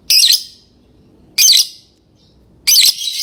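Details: Three loud harsh squawking chirps from a lovebird, evenly spaced about every 1.3 seconds, quiet between.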